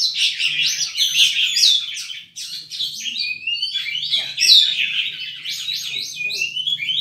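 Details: An oriental magpie-robin kept as a singing bird pours out a long, lively song: jumbled whistles, chirps and sliding notes repeated in quick phrases, with a brief dip before resuming.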